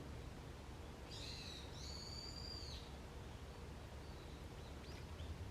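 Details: Wild birds on an early autumn morning in a forest setting, giving a few thin, high whistled notes around one to two seconds in, over steady low background rumble.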